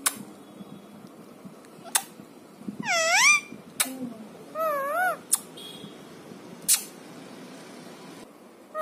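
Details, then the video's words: Pet talking parrot giving two wavering, harmonic, nasal calls that rise and fall, each about half a second long, separated by sharp clicks and taps in a quiet room. "Talking Parrot"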